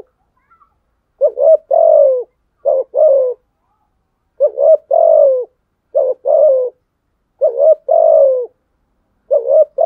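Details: Spotted dove calling in a duel with rivals. Deep, rounded coos come in short two-part phrases, about seven of them, grouped in pairs with brief gaps. Nothing else is audible.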